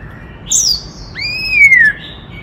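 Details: White-cheeked laughingthrush, forest bird singing to provoke males: a high thin descending whistle, then a long arched whistle gliding gently downward, softer than surrounding phrases.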